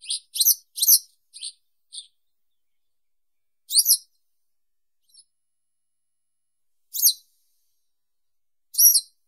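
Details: Yellow wagtail (Motacilla flava) singing: a quick burst of five short, high, squeaky chips, then single sharp notes about every three seconds, with nothing else audible.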